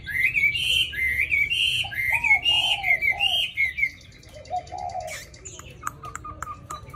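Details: Tame caged hwamei singing its wild-type forest song: a sequence of clear looping whistles repeated about once a second, with lower mellow phrases, then quieter scattered notes and a few sharp clicks near the end.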